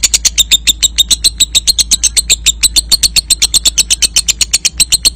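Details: Young lovebird ngekek trill meant to spur other lovebirds into trilling: quick, even, grating clicks roughly four per second, unbroken, over a constant low hum.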